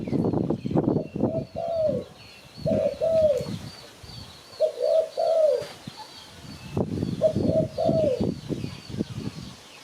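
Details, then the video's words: Spotted dove calls, played for luring birds to catch them: tonal two-part coos spaced by gaps, with dense crackling, knocking noise under the early and late phrases and faint high chirps from other birds. "Sound Spotted Dove Malay"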